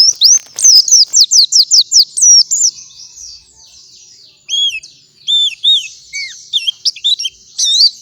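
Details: A white-eye sings in the morning as a training master for other white-eyes: a fast string of sharp high chirps opens, followed by a quieter gap, then scattered looping whistled notes.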